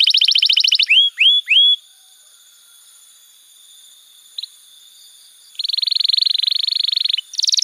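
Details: Master song of a canary, used to train young birds: rolling high trill, three ringing downslurred whistles, a pause with a single faint note, then another fast, buzzy trill and a brief bright phrase.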